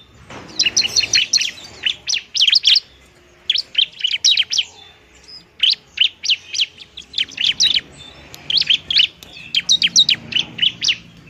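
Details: Sustained fighting song of a bar-winged prinia, meant to lure and spur quiet birds into singing: repeated volleys of sharp, high chirps in tight groups, broken by brief gaps, against a clean background.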